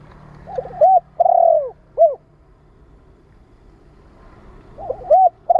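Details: Spotted dove coos meant to stimulate and train new birds: one complete phrase of lead notes, long falling coo and short end note, then the next phrase begins, over steady low-pitched background hum.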